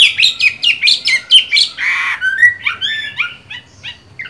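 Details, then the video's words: Caged Chinese hwamei with a green-bean eye colour, singing well while moulting: a run of loud, slurred whistled phrases, rising and falling, repeated rapidly, with one harsh burst midway. "Họa mi hót hay, mắt lục đậu, vẫn phong độ khi thay lông"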